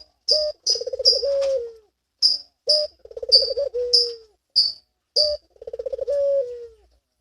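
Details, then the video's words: Breeding-condition Barbary dove cooing, used to encourage other doves to coo and come into breeding: three rolling coos, each a short opening note, a quick pulsed roll and a long sliding fall, about every two seconds, with high chirps above. "Puter Birahi"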